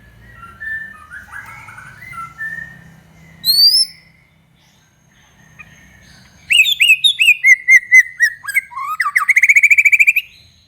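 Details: White-rumped shama singing to provoke other shamas: soft warbled phrases at first, a sharp high whistle, then a loud burst of rapid repeated notes and a fast, buzzy rattling trill.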